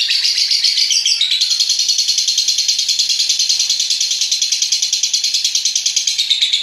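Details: Long ngekek song of a lovebird, used as masteran to stimulate other lovebirds to call: a shrill, buzzy, rapidly pulsed chatter held continuously for several seconds at a steady, high pitch.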